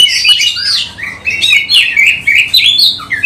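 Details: Loud, energetic song of an Oriental magpie-robin used as a lure for other birds, tail opened: rich whistles and slurred rising and falling notes repeated quickly, several phrases a second, with little background.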